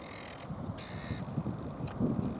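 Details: Helmeted guineafowl at Lakenheath, Suffolk, UK, 30 September 2015 around 5:19 pm, giving two harsh, nasal, grating notes over a low background rumble.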